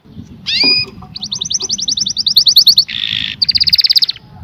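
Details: Canary singing over a low background hum: a bright whistled note, a long quick trill of repeated chirps, a harsh buzzy burst, then another rapid trill.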